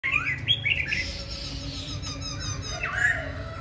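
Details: Tame caged Black-throated Laughingthrush, said to sing all day: overlapping slurred whistles and rising sweeps, bright and varied, over a steady low background hum.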